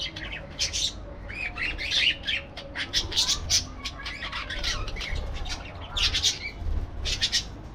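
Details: Parakeets give bursts of grating squawks and shrill chirps in irregular clumps separated by short pauses, several birds overlapping, with a faint low hum throughout.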